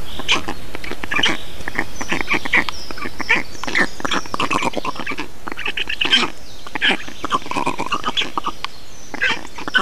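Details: Black storks in Estonia during feeding on 2 June 2019: dense bursts of harsh, rasping calls repeating rapidly and irregularly, with several voices overlapping throughout.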